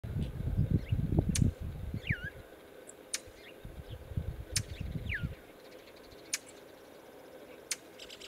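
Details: Brown thrasher giving alarm calls in Northern Illinois: sharp, sudden smacking clicks at irregular intervals and two slurred whistles falling steeply in pitch, over heavy low rumbling wind or handling noise in the first half.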